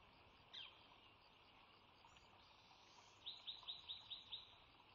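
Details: At the Sauces bald eagle nest, March 3 2017, as the female lays her second clutch's first egg: one lone high chirp, a pause, then a rapid run of six thin piping notes near the end over soft hiss.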